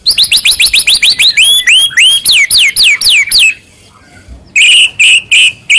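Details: White-rumped shama in a recording that prompts other shamas to answer: a fast series of sharp downswept notes, a hissy pause, then three harsh buzzy bursts.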